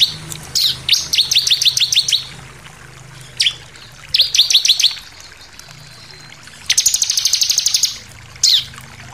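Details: Bar-winged prinia song used as a lure to stir other birds into singing: several bursts of rapid high chipping notes, a dense buzzy trill near the end, and single sharp downslurred notes between phrases.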